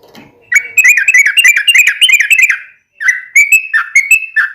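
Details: Energetic gacor song of a yellow-vented bulbul for daily cage-bird training: a dense, fast series of warbled, rising-and-falling notes, a brief pause, then slower clear whistled phrases.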